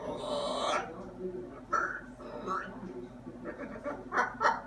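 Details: A talkative pet macaw at home, producing speech-like squawked sounds with abrupt, bright bursts near the start and again toward the end, over low room murmur.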